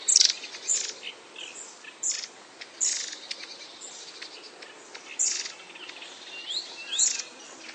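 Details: Long-tailed tit (Aegithalos caudatus), call.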